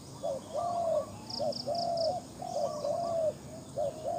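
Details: Spotted dove kept as a decoy bird calling outdoors: quick double coos leading into a sustained mellow hoot, the phrase repeated twice, with a short series of high ticking notes from another bird.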